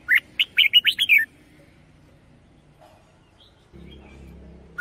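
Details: Decoy-style song from a caged red-whiskered bulbul: one rapid phrase of six or seven clear, bouncing whistled notes, then quiet with low background rumble and the start of another phrase at the end.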